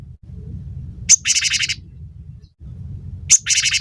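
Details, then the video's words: Cinereous tit (gelatik batu), from a recording meant to coax songbirds into singing: two harsh buzzy chattering bursts, each opening with a sharp high note, set against a continuous low hum. "masteran burung gelatik batu gacor pancing bunyi"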